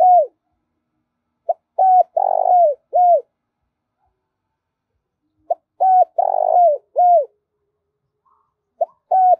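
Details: Trapping lure recording of a spotted dove, meant to rouse decoys, males and females: two full phrases plus the start of a third, each a quick pip, a clear coo, a drawn-out burry note and a falling final hoot, with long quiet gaps.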